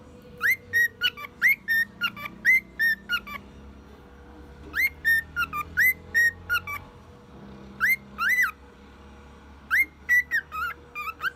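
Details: One-year-old male cockatiel whistling a tune and imitating a car alarm: bursts of bright, slurred whistles repeated in groups of four to six, separated by short pauses, over a steady faint hum.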